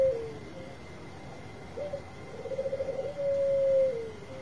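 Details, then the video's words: Bangkok-type zebra dove singing, used to prompt reluctant birds to sing: a short low coo, then a quick run of pulsed notes and a long steady falling coo, over a faint constant high hum. "Suara Besar Perkutut Bangkok Gacor Obat Pancinga yang lagi Males Bunyi"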